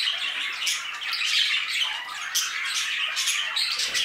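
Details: Budgerigar flock in an aviary, steady overlapping chirping and raspy squawks, with quick clicking notes punctuating the continuous high twitter.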